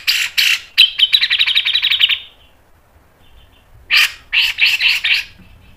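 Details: Rapid scratchy chatter from a cucak jenggot (grey-cheeked bulbul) in a song meant to prompt other birds to sing: a long buzzy trill, a pause, then a few separated rough bursts.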